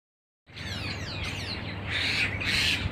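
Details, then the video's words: Wild starlings at a date palm plantation in Oman: after a brief silence, a burst of harsh squawks and twisting whistled notes, growing louder toward the end over steady low rumbling. "Baru melihat burung burung jalak sebahagia ini"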